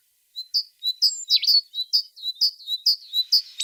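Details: Tit song made of sharp repeated chirps, each a quick high whistle with a downward flick, delivered steadily about twice a second, with one louder twisting note early on.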